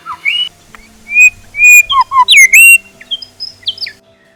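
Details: Young grey shrike-thrush of undetermined sex with a rufous supercilium, in Australia, singing a varied repertoire: loud clear whistles, slurred rising and falling notes and short phrases, some very loud, ending in softer whistled notes.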